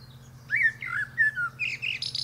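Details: Common Blackbird (Turdus merula), male, atop a pear tree: one clear fluted phrase of descending mellow whistles ending in a rising high, squeaky twitter.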